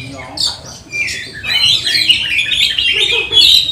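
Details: Lure song of an Oriental magpie-robin, sung 'nembak' style to rouse other magpie-robins during lockdown training; a few scratchy notes open it, then a dense run of shrill, rapid twittering phrases.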